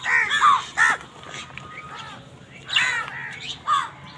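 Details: Crows squabbling with wild birds over food give harsh, nasal caws in quick bursts, four loud calls spaced unevenly across a few seconds over a low steady background hum.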